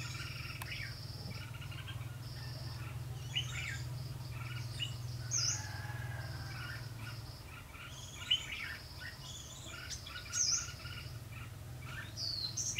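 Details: Red-whiskered bulbul used as a lure at a fight trap on 12 February 2016. Chattering, warbled phrases and thin high whistles recur through the clip above a constant low rumble.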